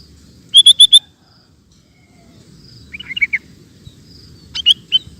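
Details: Sooty-headed bulbul recorded as training audio for caged birds: four loud, evenly spaced buzzy notes, a long quiet pause, a small cluster of soft bubbly chirps, then scattered sharp notes.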